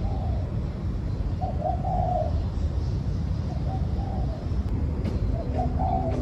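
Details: Spotted dove cooing: soft, low, hollow notes in short grouped phrases, a rising double note then a longer drawn coo, repeated twice over a steady low rumble and light background noise.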